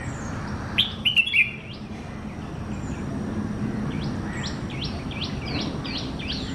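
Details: Bulbul in Kerala giving a quick cluster of three bright, liquid chirps, followed by a run of thin, repeated high notes from other birds over steady outdoor rumble.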